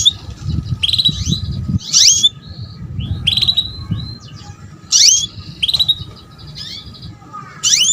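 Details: Female canary luring a male into song: repeated sharp chirps and short sweeping notes in groups, some clipped whistles, over low rumbling background.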